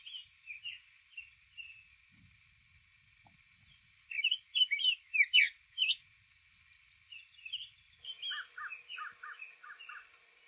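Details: Quiet song from a male Summer Tanager in Lafayette County, Florida, early April morning; soft slurred notes building to a loud series of burry up-and-down phrases, followed by a separate run of short repeated lower notes.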